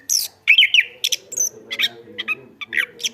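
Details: Chestnut-backed thrush in active, loud song: sharp high chirps and a warbled, wavering phrase, followed by short separated notes and clipped high bursts, with a faint low hum beneath.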